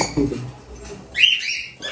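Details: A captive cockatiel chick in Pabna, calling at an age when its sex can be told for pairing, gives a single rising, raspy squawk after a quiet start with faint background rustling.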